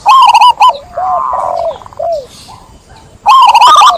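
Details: Zebra dove: a short rattling trill of coos, then softer sliding and falling coo notes, a pause, and another fast rattling coo burst at the end.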